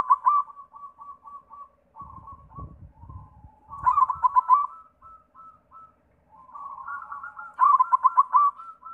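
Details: White zebra dove song played as a lure to make other doves sing: rapid staccato cooing notes in pulsed bursts, loud phrases near 4 and 7.5 seconds with softer trills between, plus brief low thumping noise early on.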